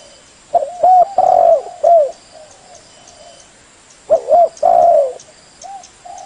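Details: Spotted dove lure call to make wild doves answer: soft, hoarse coos in two phrases, each a quick run of low notes ending in a longer drawn coo; the background is quiet.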